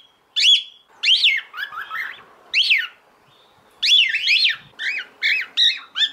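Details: Female cockatiel, described as in heat, calls to the male in a busy series of squawking, rising-falling chirps. The notes come in two clusters separated by a one-second pause.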